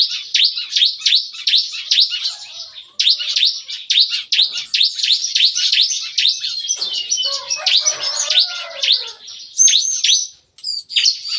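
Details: Caged bar-winged prinias in an aviary sing at morning in the nembak-nembak style: regular, crisp downslurred high chirps, several each second, with a brief lower warble mid-way and quick notes to finish.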